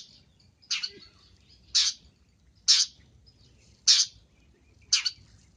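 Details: Long-tailed shrike, a recording meant to lure birds: five brief, rasping chirps spaced about one second apart over a quiet background.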